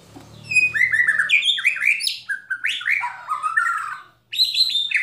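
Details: Oriental magpie-robin rattling and shooting song used to provoke other birds into singing: varied whistled phrases sliding up and down, with buzzy rattles, a brief pause, then loud renewed whistling.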